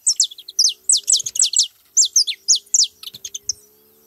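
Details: Saffron finch song: loud, high, sharply down-slurred chirps in quick bursts, a tumbling run of notes around the one-second mark, then softer scattered twitters near the end.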